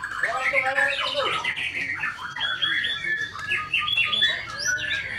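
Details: Murai batu, the white-rumped shama, delivering a rich string of short whistles, slurred rising and falling notes and quick chattery bursts, one phrase after another without pause.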